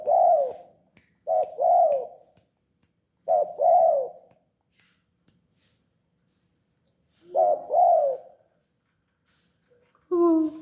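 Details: Tame spotted dove cooing steadily, with paired short and long arched coos in four phrases, separated by a three-second pause. A different harmonic sound ends the recording.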